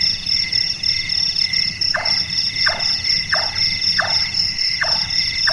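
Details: Large-tailed nightjar active at night, its call compared to someone at carpentry work. Five regular wooden chonks repeat about every 0.7 seconds over a dense, high insect drone.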